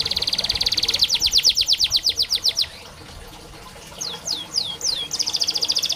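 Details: Canary song used as a tutor recording to get young or reluctant canaries singing: a rapid, evenly pulsed trill for over two seconds, a short hush, a few separate downslurred notes, then the fast trill again.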